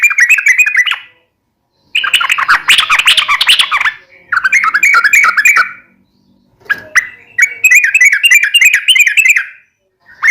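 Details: Yellow-vented bulbul in full, lively song, used for daily song tutoring of caged birds. Loud, bubbly chattering phrases of rapid warbled notes, each burst lasting one to two seconds, separated by short silences.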